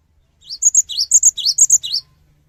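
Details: Cinereous tit song used to prompt other birds to respond: a brisk series of about eight high chirping phrases that vary slightly in pitch, some dipping lower, delivered in under two seconds.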